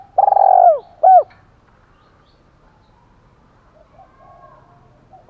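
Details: Decoy spotted dove, 'thổ pha' voice, fighting call. The recording opens with a long buzzy, falling coo and a clipped arched coo. Then comes a long stretch with only very faint distant cooing.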